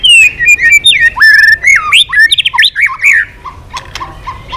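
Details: White-rumped shama singing long, varied strings with voice changes while flicking its tail continuously; loud clear whistles sliding up and down, quick twisting phrases and harsher chips, then softer, spaced notes near the end.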